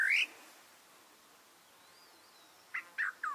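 Great Parrotbill giving harsh, rising squawky calls: one at the start, then three quick ones near the end, with a faint thin whistle between.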